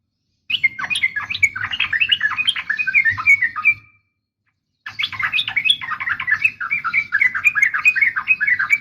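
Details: Female yellow-vented bulbul calling a male in a long, rapid, jumbled chatter: dense, busy bubbling phrases running nearly four seconds, a silent gap, then another long outburst, with a soft low rumble underneath.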